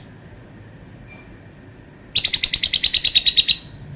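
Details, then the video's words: Lovebird producing a long sound: after near silence, a rapid, shrill chattering trill of about fourteen pulsed notes lasting roughly one and a half seconds. "Burung Lovebird bunyi suara panjang"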